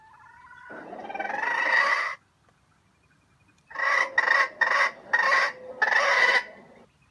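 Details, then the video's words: Red junglefowl serving as trap bait crows with a grinding stutter: one drawn-out rising harsh note, a pause, then five choppy rasping bursts run close together. "The bait of the wild chicken trap crows with a stuttering voice that sounds like grinding"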